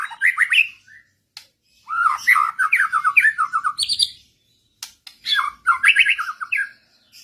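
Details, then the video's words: White-rumped shama answering another bird; rich, fluty warbled phrases in quick bursts, separated by short silences, with a few sharp clicks between them. "Burung Murai lain ikutan ngotot | coba pancing pake masteran ini"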